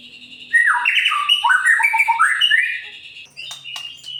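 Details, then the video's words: A murai pastol white-rumped shama pours out song meant to spur other birds into singing: a quiet start, then a loud three-second cascade of tumbling whistled notes, followed by scattered clicks and chips. "Murai Pastol Gacor Cocok untuk Memancing Burung Yang Kurang Emosi"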